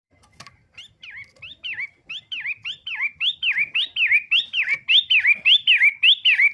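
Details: Long-tailed shrike singing a repeated series of whistled, V-shaped notes that dip and rise again. About 105 notes a minute, fairly even. The phrases start faint and grow steadily louder, with a few soft clicks in the background.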